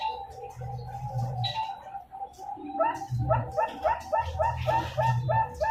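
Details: A young zebra dove, two months old, kept at a breeding farm in Pasuruan, East Java, Indonesia, gives a rolling series of short mellow coos that quicken into an even, bouncing run, with low muffled thuds behind them.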